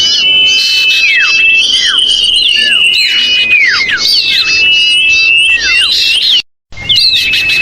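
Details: Noisy, screaming lure call of common iora used to bring birds down, made of busy layered whistles with steady tones and quick falling slurs, a brief silent break near the end, then whistling resumes.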